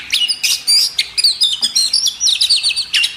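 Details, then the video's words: Magpie robin, a training recording for caged birds: a fast, evenly paced series of high, sharp, whistled notes, closely repeated in a rolling chatter. "masteran burung kacer"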